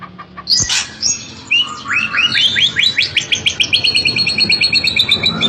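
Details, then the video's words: White-rumped shama (murai batu), a 'super' bird prized by hobbyists, sings in an agile, aggressive style: loud whistled opening notes, then a fast run of repeated rising high chips, about six per second. "Kelincahan MURAI BATU SUPER dalam berkicau"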